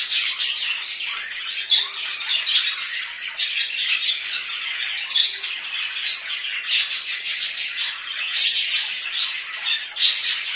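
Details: Household budgerigars producing a long, busy stream of scratchy warbles, squeaks and harsh squawks, the high chatter pulsing without pause and peaking in frequent loud bursts.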